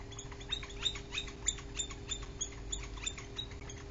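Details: Three northern flickers, a chatty trio visiting a bald eagle nest on 24 July 2023, giving short, sharp, high calls in a quick repeated series, about three per second, with a steady low mechanical hum beneath.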